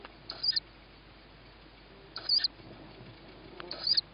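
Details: Tawny owlet at a feeding on 21 May 2017, 21:38, as its sibling on the roof receives the first food; three short, wheezy, hissing shrieks about one and a half seconds apart.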